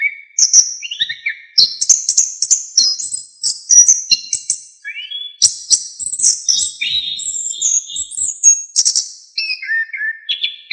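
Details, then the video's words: Varied, chattering song of an Orange-headed thrush used as a master recording for training songbirds: a fast stream of high whistled notes, trills and sharp chips, shifting pitch constantly, with brief pauses between bursts and a clean background. "KICAUAN ANIS KEMBANG GACOR FULL ISIAN"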